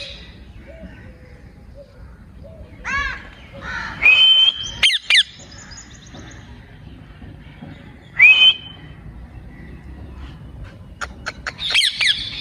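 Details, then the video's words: Pet ring-necked parakeet, known as a talking parrot, producing harsh, sharp squawks mixed with short bright whistles in scattered bursts, with quiet pauses between outbursts. "ring neck talking parrot"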